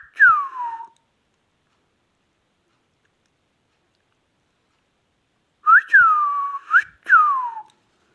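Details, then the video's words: Indian ringneck parakeet, kept as a talking pet parrot, giving a clear slurred whistle that falls from high to mid pitch, then after a long silence three more swooping whistles: rising, long falling glide, and a final falling note; quiet room. "ringneck Indian talking"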